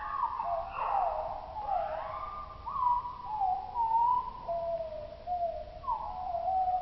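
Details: Common blackbird song from Oslo, played two octaves lower than life, now deep, mellow, fluting phrases that slide downward and level out, one after another without pause.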